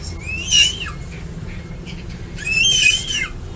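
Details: Crested eagle uttering two loud, ringing whistled calls, each a bowed note that rises then drops, about two seconds apart, over faint low hum.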